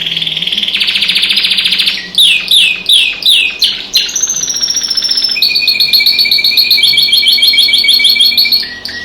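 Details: A pet canary singing with other birds outside the window: a buzzy pulsed trill, a run of five loud swooping downslurs, then a long, bright, rolling trill with a steady lower tone beneath.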